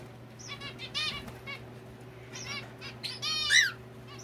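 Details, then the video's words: Several indoor pet zebra finches trade short, nasal, toy-trumpet beeps in quick bursts, a lively busy chatter over a low steady indoor hum. "キンカチョウ達は自宅待機中も賑やかです【Zebra finch】"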